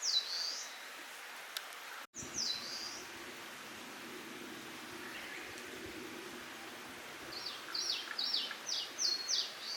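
Eastern Crowned Warbler singing high, slurred phrases, then a quick run of sharp, repeated notes at the end, over a steady hiss of background noise.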